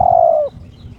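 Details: Turtle dove, caged and in breeding condition, calling to challenge an opponent: one long, smooth coo held for half a second and dropping slightly in pitch at the end.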